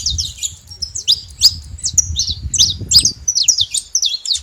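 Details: Saffron finch free in nature, singing a quick sequence of piercing high chips and twisted slurred notes, about two to three per second, over a faint low rumble.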